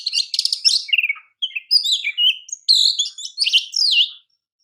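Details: Champion Oriental magpie-robin song meant as kacer training material: a buzzy rattle start, then varied whistled slurs and downward swooping notes in short phrases with tiny gaps, clean background.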